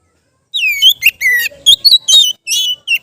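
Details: Relaxed ngeplong song from an Oriental magpie-robin, for training raw kept birds: a long falling whistle, a flat low whistle, then a lively sequence of short ringing notes and buzzy bursts lasting over two seconds.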